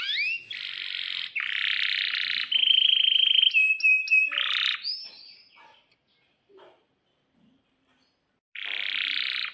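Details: Canary in full long rolling song, the kind used as a master to teach young canaries: loud buzzy trill bursts, a sustained whistled rolling trill, quick descending whistled notes, a pause, then another dense buzzy trill.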